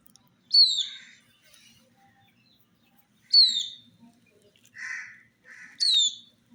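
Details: Chicks drinking water in summer alongside a hen: three loud, sharp descending chirps about every 2.5 seconds, each sliding down steeply, with softer buzzy chirps between them and a faint low murmur underneath.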